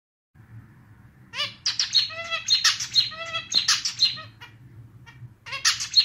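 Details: Pet male zebra finch singing his own clarinet-style song, likened to a slightly out-of-tune little clarinet: after a faint start, bursts of stacked harmonic nasal notes, buzzy trills and sharp chirps run in quick rhythmic phrases, with a low hum beneath.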